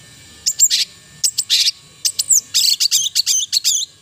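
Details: Long-tailed shrike (cendet) song built from very high, short chattering notes and buzzy bursts, speeding into a rapid run of clipped repeated phrases toward the end.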